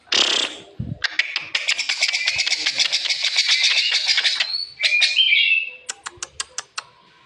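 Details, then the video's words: Rosy starling uttering a harsh, unusual sound: a long dense stretch of rapid grating pulses lasting several seconds, a brief whistled descending slur, then a series of sharp evenly spaced clicks. "jalak mawar suara aneh kasar"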